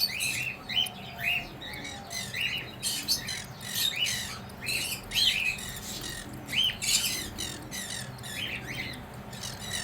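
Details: A mother cockatiel feeding her chicks; rapid, raspy squawks and chirps in dense overlapping bursts, high and harsh throughout.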